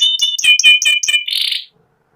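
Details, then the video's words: White panda canary giving a short series of clear, repeated whistled notes, ending in a brief buzzy trill before silence. "burung kenari putih panda ngeriwik"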